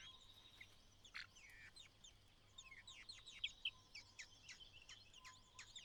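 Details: White-browed laughingthrush, parent calling its only chick out of the nest on fledging day: repeated downslurred, sharp calls mixed with rising notes, quickening through the clip over a steady faint hum.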